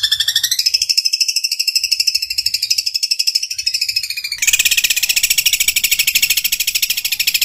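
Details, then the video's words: Long-tailed shrike in a training recording with rapid mimicry bursts in Kuntilanak, Tengkek Buto and Gereja Tarung styles. A high, fast trill of repeated notes rises in pitch, then shifts to a denser, harsher rattle about halfway through. "Cendet Full Tembakan Kuntilanak | Tengkek Buto | Gereja Tarung"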